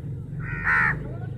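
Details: A crow among fifty fighting over chapati gives one loud, rasping caw lasting about half a second, rising out of a steady low hum.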